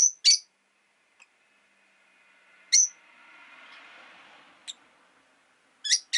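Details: Rosy-faced lovebirds in a window-side cage, five birds in winter, utter sharp, high chirps spaced a couple of seconds apart while a passing vehicle swells and fades as a low rushing sound from outside.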